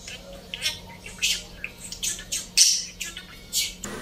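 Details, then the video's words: Pet budgerigar that memorizes and repeats what is said around it, giving short scratchy chirps and squawks in quick, uneven bursts, with soft human murmuring underneath. "ETRAFINDA Kİ KONUŞULANLARI EZBERLEYİP SÖYLEYEN MUHABBET KUŞU"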